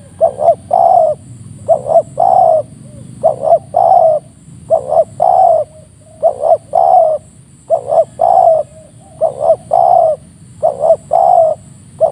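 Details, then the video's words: Wild Spotted Dove in the morning around 7 am at a coastal trapping site coos with a strong, crisp voice: groups of two or three mellow, hollow notes, the last drawn out, repeated about every second over a faint rumble. "tekukur di pagi hari dapat suara mersik deras"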